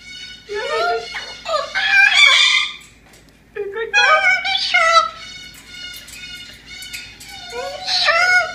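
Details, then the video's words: Pet male Moluccan cockatoo singing and talking indoors: bursts of harsh, harmonic, speech-like phrases with rising and falling inflections, three main outbursts separated by short pauses. "the Moluccan singing that he is a sugar and a good bird!"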